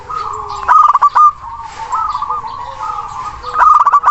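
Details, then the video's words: Local zebra dove, big-voiced and long-breathed, calling a rival as a lure for birds that won't sing; bubbling coos start and end with loud stuttered bursts, with a continuous cooing chorus underneath. "Perkutut Lokal Gacor Suara besar Nafas Tua memanggil Lawan"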